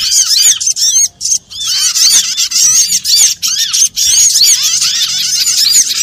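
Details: Small birds calling together as a lure for trapping; thin, high squeaks and curved chirps crowd the air in a steady, overlapping chatter broken by a few brief pauses.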